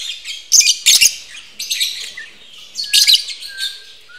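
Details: Lovebirds kept for breeding, mating. Harsh, shrill chirps come in short clusters about a second apart, mixed with thin high squeaks and a few brief whistles.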